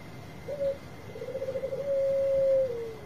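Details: Bangkok zebra dove with a strong voice, used as a prompt for birds reluctant to sing. A short soft note, then a quavering trill flowing into a long smooth coo that tails downward at the end. The phrase is somewhat quieter, with a faint steady hum.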